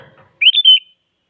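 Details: Active sooty-headed bulbul song meant to make rivals sing back: a single clear, fluty phrase of three short whistled notes, rising then gently dropping, in quiet surroundings after faint low rustling.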